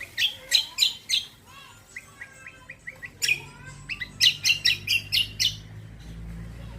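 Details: Lure song of the greater green leafbird, meant to prompt other birds to reply: bursts of loud sharp chips, a soft series of short whistled notes, then a fast run of about ten ringing chips.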